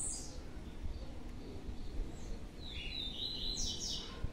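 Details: Two captive young blue-black grassquits, just separated by their keeper, give a brief high note at the start, then a burst of thin, high, buzzy chirps in the last second and a half over a low steady rumble.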